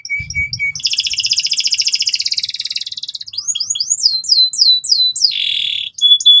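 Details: Loud, energetic canary singing in ngeriwik style as a model for young birds: short steady whistles, a long dense buzzing trill, then a series of quick upslurred chirps and a final harsh rattle.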